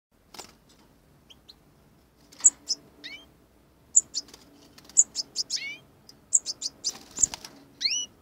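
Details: Four young European goldfinches, fledglings that have just left the nest together, giving bright, high twittering chirps and quick upswept notes in irregular bursts, with faint wing flutters between calls.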